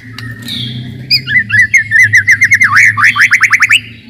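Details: White-rumped shama song for testing young birds and challenging rivals: a lively varied run of quick looping and upsweeping notes that speeds into a tight repeated series, over a faint low hum.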